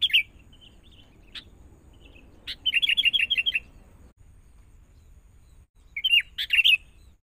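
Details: Caged young sooty-headed bulbul from the forest, trained with a lure bird. A clear opening note leads into a rapid run of about seven quick repeated notes. After a silence, a burst of chattering warbled phrases follows.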